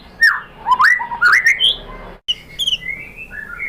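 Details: White-rumped shama song used as a lure to provoke a reply: rich looping whistles climbing in pitch, a brief break, then softer slurred notes falling away.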